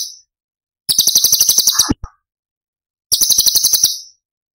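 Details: Cucak cungkok tembakan song from Cililin, recorded as masteran for other songbirds. Fast high buzzy trills, one ending in a lower, rougher note, followed by another rapid rattle after a short pause.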